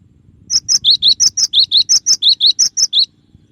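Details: Cinereous tit (gelatik batu) singing a clear song variation: a steady two-note phrase, higher note then lower, repeated rhythmically about fourteen times in under three seconds, with only faint low hum behind.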